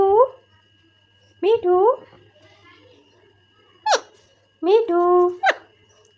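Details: Pet talking parrot indoors: short, nasal, speech-like phrases, some rising and some with sharp upward squeaks, given in separate bursts with pauses between them, over a faint steady hum.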